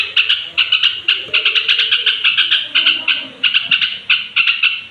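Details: At bedtime a straw-headed bulbul gives rapid bright pulsed notes in short clustered phrases, a sound meant to provoke other bulbuls.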